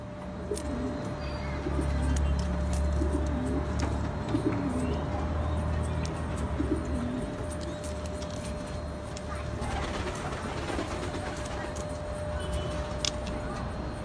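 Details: Domestic pigeons of the Damascene (Shami) type cooing with low, soft, rounded coos repeated in short bursts, set against a steady electrical hum and a background of constant low noise.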